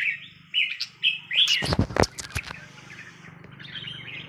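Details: Caged red-whiskered bulbul of Burmese origin giving several short, bubbly whistled phrases, cut by a burst of loud clattering thumps, over a steady low hum.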